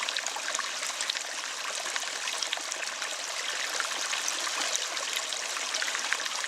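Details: A steady rush of flowing water, like a stream or trickle, fills the whole recording with bright hissing noise and no animal voices.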